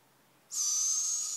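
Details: Owl producing a single abrupt, drawn-out hissing screech with a steady high whistle-like tone inside, beginning sharply after brief silence and holding level to the end.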